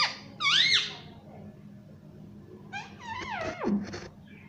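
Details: Pet parrot in a small indoor room mimicking words such as mummy and papa, with two high, harmonic-rich arching vocal bursts separated by a quiet gap, a faint hum beneath.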